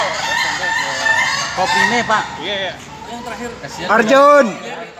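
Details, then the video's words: Ayam Ketawa roosters at a practice contest in a pen in Bogor, with several rough, stuttering crows with wavering, laughing notes overlapping, amid a noisy crowd of chatter and background hubbub. "latber ayam ketawa"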